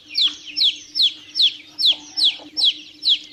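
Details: Chicks peeping: high, sharply falling notes, about eight in just over three seconds at a steady pace of roughly two per second. A low constant hum sits underneath.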